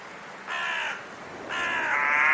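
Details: Two harsh raven caws, each roughly half a second, the second stretching longer and rising in loudness toward the end.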